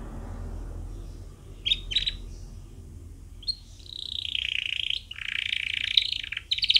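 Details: Caged canary singing as a training recording for chicks: bright chirps near 1.7 and 2 seconds, then sustained rolling trills and buzzy warbled phrases from about 3.5 seconds onward, over a low steady hum.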